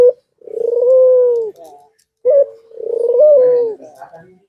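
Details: Cooing white dove in breeding condition, bowing and nodding: a short coo, then a long wavering coo, a second short note and another long coo that lifts in the middle before falling away; faint voices in the background.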